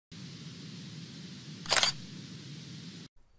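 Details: Low background hiss broken by one sharp camera shutter click midway, with no animal voice.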